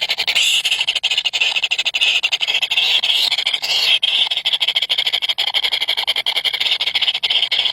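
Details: Three hungry baby birds beg with a dense, continuous stream of high, rapid cheeping that pulses without pause through the whole stretch.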